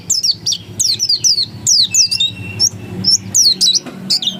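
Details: Oriental white-eye (pleci dakun) in insistent 'ngotot' song: fast, shrill chirps dipping and rising, delivered in closely spaced bursts, with a thinner whistled note slipped in midway.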